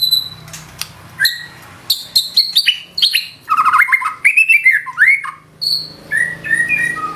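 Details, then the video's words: White-rumped shama singing 'nembak' bursts with 'isian' filler: high thin whistles give way to a dense flurry of sharp chirps, buzzy trills and swooping notes, closing with soft whistled slurs. "Murai batu nembak isian gacor"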